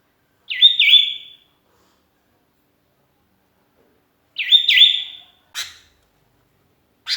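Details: Lonely sooty-headed bulbul calling to its companions, used as a lure: two short bright phrases, each rising into a fluttering whistled note, about four seconds apart, followed by faint clicks in otherwise silent surroundings.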